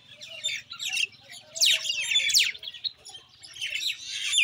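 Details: Common Indian myna giving bursts of scratchy, squawking chatter that swell, fade briefly, then return, with sharp falling squeaks mixed in and a soft low hum underneath.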